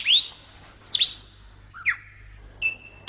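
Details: Lyrebird song: a series of separate, clear whistled notes, a sharp rising sweep, a squeaky downslurred note, then a short low phrase and a long, steady high whistle, in a quiet setting.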